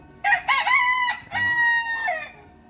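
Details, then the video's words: Morning crow of a bantam rooster kept on a Vietnamese farm home: a strong, clear crow with choppy rising opening syllables, then a long sustained tone tapering down at the end, in a quiet setting. "gà tre gáy PHÁ LÀNG- PHÁ XÓM báo thức buổi sáng | The sound of rooster crowing in the morning"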